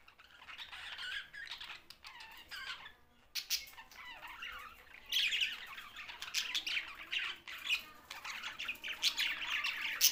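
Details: A group of budgies, the Australian parrot, chirping and squawking in a rough chorus; the chatter starts softer, drops to a near pause, then returns louder with sharp clicks and warbled notes.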